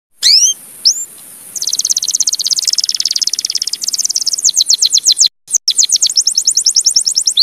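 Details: A Timbrado canary (Belgian canary) sings a training song, opening with a few bright whistled notes, then rapid high metallic trills and fast repeated chips, with two brief breaks near the end.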